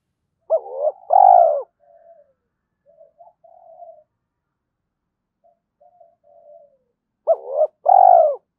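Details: Early-morning spotted dove cooing meant to provoke fighting and lure others. Two strong phrases roughly seven seconds apart, each a clipped double note then a long full coo, separated by faint soft murmurs; otherwise silent.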